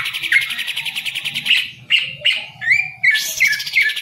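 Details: Green leafbird kept in a cage as a hobby bird, known for somersaulting: fast trilled, buzzy chatter interrupted by sharp slurred whistles and short gaps, steady low mechanical hum underneath.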